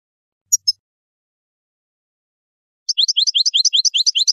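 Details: European goldfinch song: two isolated sharp high notes, a long silence, then a rapid, even series of rising tinkling chips repeated quickly until the end, with a clean quiet background.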